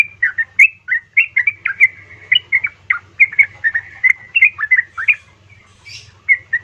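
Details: Yellow-vented bulbul, a female calling for a male, used to provoke silent or sluggish birds to answer. Short, gurgling, slurred notes come in quick irregular bursts, some rising sharply, with a soft steady hum underneath.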